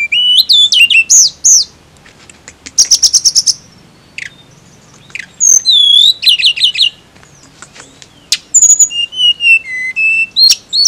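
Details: Tledekan, a blue flycatcher, singing a rich, varied high song of clear whistles, rapid chirp trills and slurred, descending phrases in bursts separated by short pauses.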